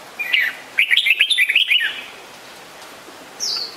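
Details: Red-whiskered bulbul calling: a short warbled note, then a quick bubbly run of chirpy whistled notes over about a second, followed by a faint high slurred note near the end.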